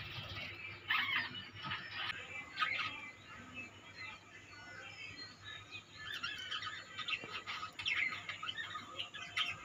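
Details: A budgerigar colony chatters with high chirps and warbled phrases rising and falling in loudness over a steady low hum.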